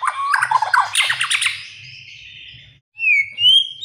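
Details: Oriental magpie-robin training song for young birds: a burst of harsh, scratchy chattering notes, a thin fading tail, a short silence, then two clear whistled phrases rising and levelling off, with a faint low hum throughout.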